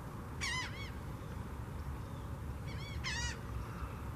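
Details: Mottled ducks courting with head-bobbing before mating at a borrow pit in Largo, Florida; two short bursts of clustered nasal calls about two and a half seconds apart, with a constant low background rumble.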